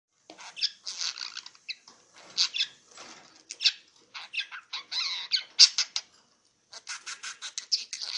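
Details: Six-month-old male pet budgerigar talking Mandarin to himself in a mirror, chattering in quick, raspy bursts of scratchy warbled syllables imitating human speech.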